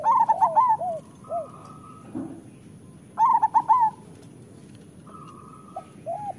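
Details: Local zebra dove cooing to train doves to sing: rapid bubbling phrases of four to five notes about three seconds apart, each followed by low soft coos and a steady flat tone.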